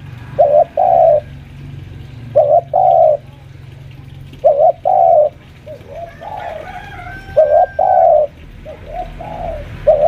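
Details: Senior home-kept spotted dove lure, around five years old, pressing a rival: clear two-part coos repeated about every two seconds, each a brief note then a longer coo, with softer coos and a faint higher sound near the end.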